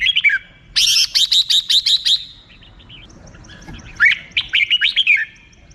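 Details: Red-whiskered bulbul giving its 'rik' song: a short bright phrase, then a burst of rapid, clipped chirped notes. After a quiet gap, a second fast run of sharp, warbled notes follows. The background is quiet.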